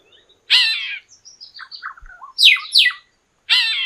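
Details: Red-billed quelea (Quelea quelea) weaver sings harsh, buzzy chattering bursts in high pitch, broken by short whistled and twanging notes, with brief pauses between phrases.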